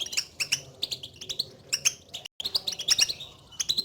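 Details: European goldfinch contact calls, a twittering used to prompt a silent caged goldfinch to sing: rapid high chattering notes in clustered bursts, brief dropout near the middle, then more lively twitters.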